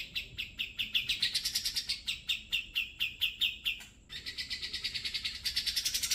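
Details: Grey-cheeked bulbul singing, offered as a master song for training other songbirds: rhythmic, evenly spaced chirps rising slightly in pitch, a short break, then a quick, buzzy, high trill that rises toward the end.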